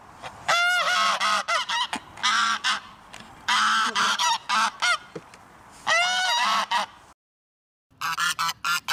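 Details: Geese honking repeatedly in loud, brassy bursts with arching nasal calls, several quick series, a short silence, then more rapid honks.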